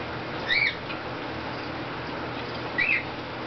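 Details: Pet cockatoo indoors, possibly a bare-eyed cockatoo wet from a misting, giving two short, harsh, rising squawks about two seconds apart over a quiet indoor hum.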